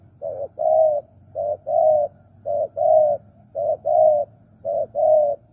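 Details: Spotted dove lure call, a very even two-note coo, short then long and flat, repeated about once a second, with a low humming background.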